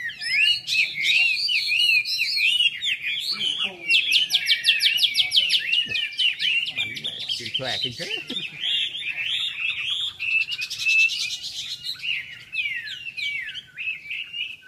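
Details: Red-whiskered bulbuls at a Long Bien club meet, 27 April 2014. Long, busy chorus of quick chirped and whistled notes, with buzzy trilled bursts and several birds singing at once. Voices of people are also audible.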